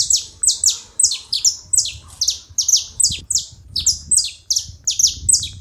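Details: Several saffron finches calling together: a fast, continuous run of high, sharp, downslurred chips, often in close pairs, about three per second, over a faint low rumble.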